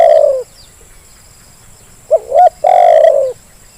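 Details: Zebra dove lure call meant to get lazy birds to respond: a long trilled coo ends, then after a pause two short rising notes lead into another loud, rolling, sustained coo.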